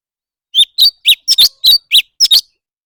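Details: Leafbird in competitive singing: a quick run of about nine sharp, high chirps, several paired as doubled notes, packed into two seconds after a brief pause, with no other sounds.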